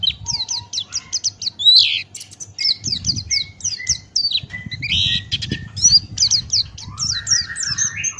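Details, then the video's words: Male Buxtoni white-eye (pleci) in full 'ngalas' open-beak song, a tutor recording. A rapid, continuous stream of high, thin, sharply slurred notes runs nonstop over a rough low rumbling background. "Masteran Pleci Buxtoni Ngalas Buka Paruh"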